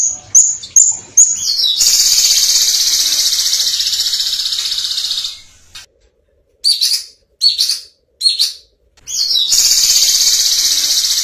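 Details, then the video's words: An insect-eating Violet cuckoo sings very high, thin, rapid trills and sharp chirped notes in dense, clear bursts, some long and buzzy, broken by brief silent gaps. "Kedasih Ungu Gacor Full Tembakan Jernih"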